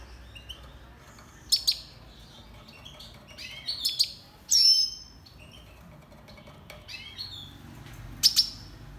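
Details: Red siskin recorded for song training: a few short, bright, high chirps, some doubled, scattered over several seconds with long pauses between them, over a steady low hiss.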